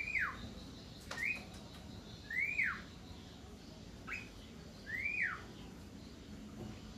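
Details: Javan myna, called jalak kerbau or jalak kebo, singing persistently: loud whistled notes that rise then drop steeply, repeated about every one to two seconds over low background noise.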